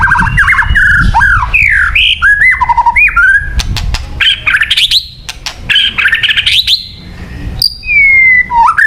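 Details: White-rumped shama singing, a recording for luring birds: loud, varied whistles swooping up and down, interspersed with clicks and chattering bursts.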